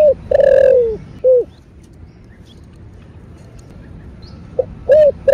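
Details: Spotted dove (cu gáy) in the 'thổ bầu' voice style, a calling-and-urging coo used to stir caged doves: short low coos and a long falling note, a silent pause, then another quick burst of three hollow coos.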